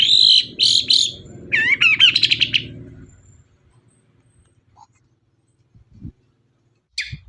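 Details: Long-tailed shrike song played to prompt other birds to sing, opening with loud harsh buzzy notes followed by a rapid warbling, wavering phrase, then near silence with a few faint clicks.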